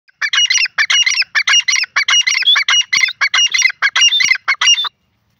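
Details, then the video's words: Grey francolin, known locally as Sindhi or dakni teetar, calling loudly: harsh, rasping multi-note bursts repeated rapidly, about eleven phrases in five seconds, each a grating chatter, against an otherwise silent background. "sindhi teetar,grayfrancoline voice,dakni teetar ke awaz"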